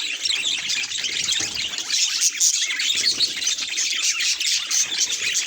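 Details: Budgerigar chirping at a mirror: rapid high tweets and squeaky warbled phrases tumble over one another in a lively, unbroken chatter.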